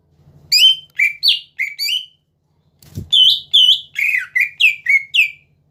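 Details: Greater green leafbird singing to goad rivals into song: two phrases of ringing whistles and down-slurred notes, a brief thump between them, low hum in the background.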